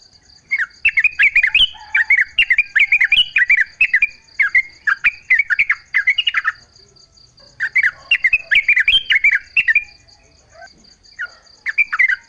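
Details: Natural-setting yellow-vented bulbul singing as a lure for other bulbuls: long runs of rapid, bubbly, warbled phrases, a short pause, then more chattering, all over a continuous high pulsing drone like an insect.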